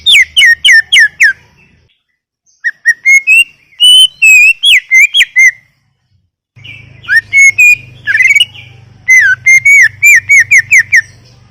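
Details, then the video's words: Greater green leafbird in lively song, repeated bursts of rapid whistled notes, some sliding, others clipped, arranged in fast rhythmic runs separated by short silences, with a low steady hum beneath. "Full Gacor 40 menit CUCAK IJO"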